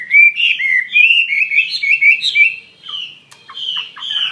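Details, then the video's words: A Chinese hwamei sings a loud, fast master song run of rich, varied whistles and warbled phrases, followed by sharper broken notes. "SUARA KICAU BURUNG HWAMEI"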